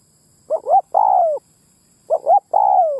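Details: Lure call of a spotted dove for attracting wild birds of both sexes: two phrases, each a stuttering two-part note rising slightly, then a long mellow coo sliding downward, with a pause between.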